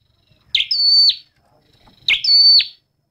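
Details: Two clear flowerpecker song phrases about one and a half seconds apart, each opening with a buzzy chip, holding a steady high whistle, then snapping downward at the close.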